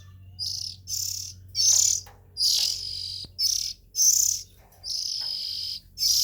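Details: Rough, wheezy hissing bursts from young oriental magpie-robins, spaced unevenly, some louder than others, over a steady low hum.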